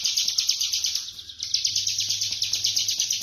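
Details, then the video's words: Bar-winged prinia singing rapidly and without stopping in ngebren fashion, a high, scratchy chatter of quick notes rising and falling in quick pulses, over a faint low hum. "Burung ciblek kristal ngebren rapat"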